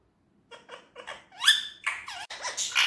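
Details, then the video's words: Indian ringneck parrot talking: four short evenly spaced nasal syllables, then a louder rising-falling phrase and harsh, grating bursts to the end. "Natural talking parrot voice"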